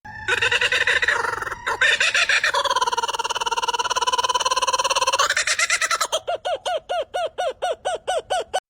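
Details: Laughing kookaburra (Dacelo novaeguineae), laugh.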